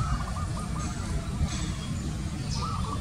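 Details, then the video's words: Zebra dove making a series of quick, evenly spaced coo notes, pausing, then starting a new rolling phrase, over a deep continuous rumble. "Zebra DOVE Call"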